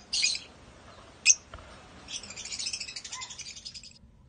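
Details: African lovebirds (Agapornis) in a breeding aviary: a buzzy high squeak, a sharp click, then a rapid fading series of high chattering notes.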